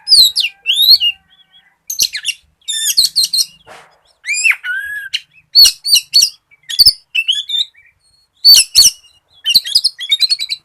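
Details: Oriental magpie-robin in full, lively song, used as a lure to get other magpie-robins singing: loud, varied bursts of sharp whistles, slurred rising and falling notes and quick chattery phrases, separated by short silent gaps.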